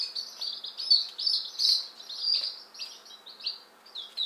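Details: Quieter peeping from one-day-old Appenzeller Spitzhauben and White Crested Blue Polish chicks just arrived in May 2015; high, drawn-out and falling cheeps run together loosely, with soft background rustling.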